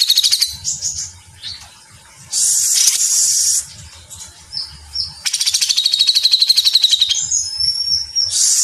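A grey-cheeked bulbul sings in dense, high chattering bursts, with harsh rattles and fast repeated notes about four per second, interspersed with short whistled phrases.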